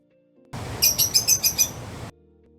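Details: Lovebird: a rapid series of about six sharp, very high chirps, evenly spaced and lasting about a second, over a steady low hum, with soft music before and after.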